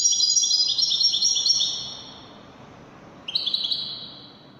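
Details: European goldfinch of the 'Wedani' type singing: a bright tinkling twitter of overlapping high notes for nearly two seconds, a pause, then a shorter rising burst of liquid chirps.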